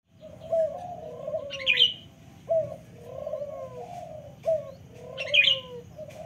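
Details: Local turtle dove cooing: low, hoarse, drawn-out coos that sink at the end, repeated about every two seconds. Short high chirps from another small bird come in between.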